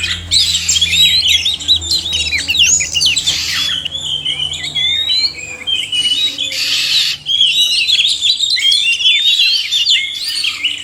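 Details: Oriental magpie-robins, male and female, in a loud overlapping chorus of whistled slides, dry rasping bursts and quick twitters, pausing briefly around the middle before resuming.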